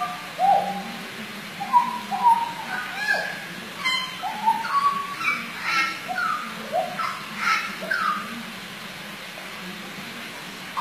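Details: Hooded butcherbird (Cracticus cassicus), a skilled mimic, sings rich, fluted whistles in short, varied phrases, some notes sliding up or down, with brief harsher accents mixed in; faint background hum.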